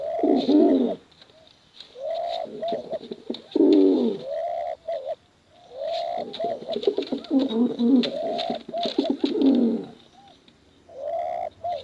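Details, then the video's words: Male and female contest pigeons giving bekuran coos: deep throaty rolling coos with swooping upward-bending notes, delivered in dense overlapping bursts separated by short pauses, with faint clicking noise in the background. "Suara Bekuran Burung Merpati Lomba Hutan Dara Durasi Panjang"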